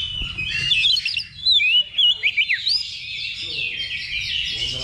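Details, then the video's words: Oriental magpie-robins (kacer) at a level-two competition simulation held as practice before a contest: overlapping bright whistled and chattering phrases, with sharp upslurs and a burst of quick repeated notes over a busy background chorus. "Simulasi Lomba Kacer Level 2 Tuk Latihan Sebelum Tanding"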